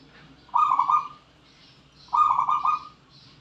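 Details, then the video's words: Local zebra dove from Borneo's wild, singing two bursts of rapid, rolling cooing notes, each about three-quarters of a second long, a second and a half apart, over a quiet background. "perkutut lokal alam Borneo"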